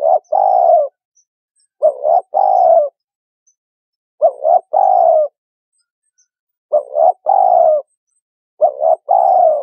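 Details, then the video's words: Spotted dove cooing in a lure recording meant to draw birds for trapping: five matching phrases, about two seconds apart. Each has two short, clipped coos and then a longer, drawn-out, slightly falling coo. The background is clean. "Cu Gáy Kích Bổi 2020"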